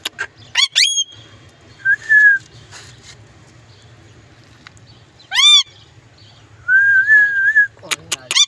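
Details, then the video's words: Talking parrot kept as a pet, producing a steady level whistle, then stacked harsh squawks, and a longer wavering whistle near the end, separated by quiet stretches with faint low hum. "Amazing parrot talking video"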